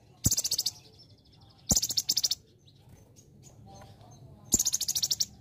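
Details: Lively olive-backed sunbird, or kolibri ninja, in a training song with celilin fill: three bursts of very high rapid buzzy trilling separated by quieter faint chips and low background noise.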